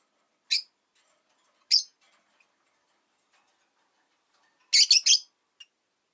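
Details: Pet rosy-faced lovebirds in a window-side cage, five birds, in winter. Two isolated sharp chirps are followed by a quick burst of three buzzy notes. Faint ticking sounds in the background.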